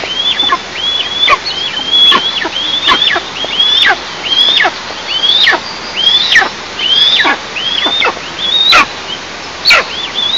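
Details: Eastern imperial eagle at its nest in a 20 m pine in south-east Tatarstan, 11 July 2024 around 09:14, gives high, squealing calls that rise then drop sharply, about once a second, over faint hiss.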